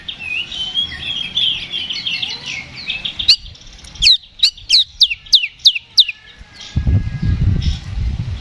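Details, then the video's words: Oriental magpie-robin in fighting song, a lure to provoke other birds. Jumbled high chattering gives way to a regular series of about eight sharp descending whistles, followed by low rumbling noise and faint chatter. "KACER GACOR NGEPLONG TARUNG !! PANCINGAN KACER PALING AMPUH BUAT MENAIKAN EMOSI KACER AUTO RESPON"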